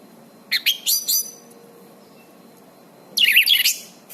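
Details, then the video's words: Orange-banded thrush singing, a recording used for therapy and as a master for song training; two short bursts of harsh, buzzy high notes separated by a quiet gap. "suara anis cendana gacor"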